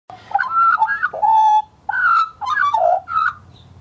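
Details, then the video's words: Scruffy juvenile male Australian magpie recorded in 2014, warbling: rich fluting whistles that slide and wobble in mid pitch, in several short phrases broken by brief pauses. "the Australian Magpie Warbles His Heart out"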